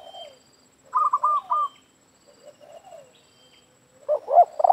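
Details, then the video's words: Spotted dove calls during trapping with a lure, a rapid trilled series of higher coos followed by softer falling notes and a final burst of louder cooing. "Mikat Tekukur - di laman dengar suara BL"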